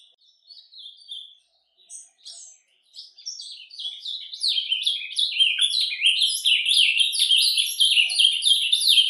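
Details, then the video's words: An ultramarine grosbeak's surdina soft song in nature begins with scattered, hesitant high notes, then builds into a dense, rapid warble of slurred chirps. "AZULÃO CANTO SURDINA - CANTO DO AZULÃO SURDINA NA NATUREZA"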